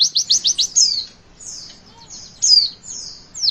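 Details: Javan white-eye 'witwit' song used to get young birds singing: a quick run of five high chirps, then longer thin downslurred whistles spaced about a second apart.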